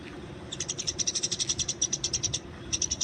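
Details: In the wild, a Eurasian tree sparrow fights with a quick series of bright, high chirps lasting nearly two seconds, followed after a pause by a few more.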